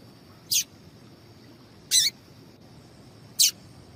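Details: Female papa-capim seedeater calling to make males sing: three short, high, slightly buzzy chirps spaced about one and a half seconds apart, each a quick burst, over a quiet steady hiss.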